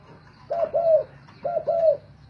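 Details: Spotted doves sung against each other as decoy birds: two short phrases, each a pair of low, hollow, arching coos, with quiet hum between them.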